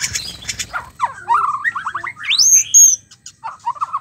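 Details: Mating sound of a white-rumped shama, used to get a stressed or quiet male singing: a few rough chips, then a string of mid-pitched whistled notes, rising into a loud high clear whistle before softer phrases return.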